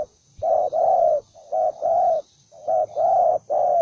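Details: Belligerent spotted dove cooing close and loud: paired low notes, a short coo followed by a longer sustained one, three phrases in quick succession.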